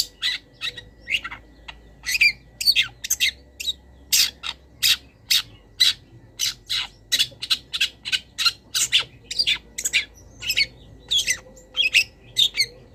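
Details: Long-tailed shrike master song filled with other birds' phrases, for training caged birds: a long run of sharp, high clipped notes and short rasping chirps, repeated roughly every half second with steady spacing.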